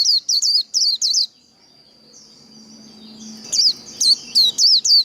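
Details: High, bright whistled notes from a Japanese white-eye in 'líu đấu' competitive song, four rapid twisting phrases, a lull with a soft low hum, then a fresh run of five or six sharp rising-falling whistles.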